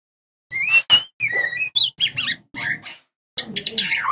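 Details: White-rumped shama song as a lure to make young shamas sing freely; bright whistles, a strong high note, then harsher buzzy and scratchy phrases with short breaks.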